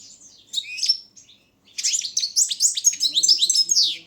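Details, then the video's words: European goldfinch of the Balkan subspecies Carduelis carduelis balcanica, a bred bird entered in an internet world singing championship run from Serbia, 2016: brief high twittering, pause, then a dense run of rapid buzzy and tinkling notes. "Pesma štiglića 004/22 World Championship in Goldfinch Song"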